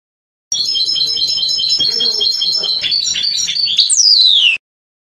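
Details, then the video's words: European goldfinch song labelled Trnan, from a 2020 CD recording: a continuous four-second run of bright, rapid twittering notes with tinkling trills, closing on a loud, sharply falling slurred whistle. "Trnan Stiglic Stieglitz jilguero cardellino"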